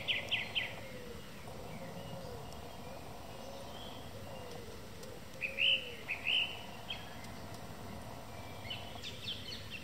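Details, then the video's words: Song thrush singing in the evening: short bright phrases, a quick triple note at the start and a pair of sharp whistled notes near the middle, with softer warbled notes between, over a steady background hiss. "Song Thrush singing in the evening"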